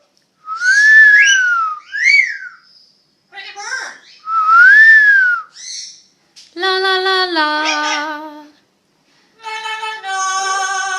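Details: Two parrots at an exotic bird hospital, having fun and talking: clear arched whistles rising and falling, a short sliding note, then rich nasal, buzzy sustained tones in two bursts, with brief pauses between phrases indoors.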